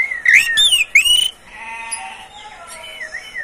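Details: Oriental magpie-robin, kept in captivity, singing to prompt other birds. A few loud, curling whistled notes, then quieter, sustained harmonic tones that fade out.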